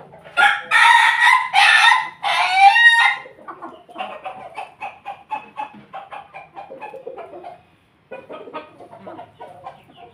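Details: In the morning a Pelung Bangkok rooster gives a loud, harsh crow in two rough bursts, then breaks into a quick run of short clucking notes, about three a second.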